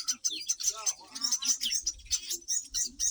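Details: Black-winged weavers nesting on a homestead, a yellow and a black bird building a nest together: dense, high, scratchy chirps tumble over one another without pause, with a few lower twittering notes near the start.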